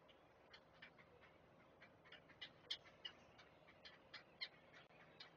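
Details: Nest of great blue heron chicks as an adult arrives to feed them: scattered short clicks and ticks, irregular and fairly soft, with one louder sharp note midway, above a low constant hum.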